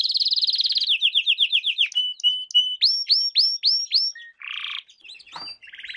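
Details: Training song for young canaries, sung by a canary: a rapid high trill, a series of falling slurred notes, clear whistles, repeated upswept notes about every third of a second, then a brief harsh buzz and trills.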